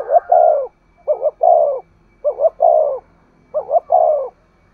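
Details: Spotted dove 'thúc gù' coo, a lure for wild doves. Four phrases roughly a second apart, each a rapid double note trailing into a longer sinking coo, low and mellow.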